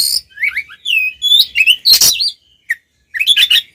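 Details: Oriental magpie-robin singing in a fighting, provoking mode used to rile other males: loud varied whistled phrases, rising and falling slurs, with harsh buzzy bursts and short sharp notes between pauses.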